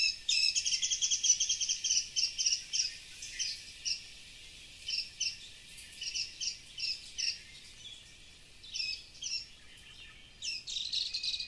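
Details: Wild birds singing in a tropical forest on the Big Island, Hawaii: high chirping phrases in quick bursts, with short pauses between groups of notes.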